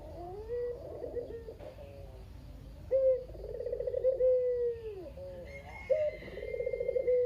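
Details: Captive Barbary dove, called kugeru locally, the remaining bird after its female died, cooing tirelessly as a lure for other doves; soft early notes, then two strong coos with a sharp start, a rolling middle and a long sinking tail.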